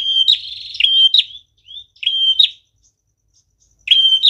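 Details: Prinia song used as a lure for trapping birds: loud, sharp, high notes, each a steady whistle ending in a clipped upward flick, given in bursts with short buzzy rattles and pauses between them.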